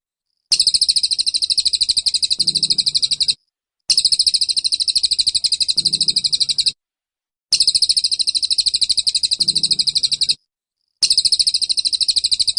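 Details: Oriental white-eye tutor song for caged birds, 'tembakan' style: four looped bursts of an intense, rapid, high-pitched buzzy trill, each roughly three seconds, divided by short pauses.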